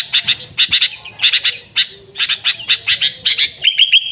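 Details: Lure recording of a sooty-headed bulbul: fast, scratchy chip notes in pairs and triplets, paced evenly, ending in a short level whistle with faint high ticks above it.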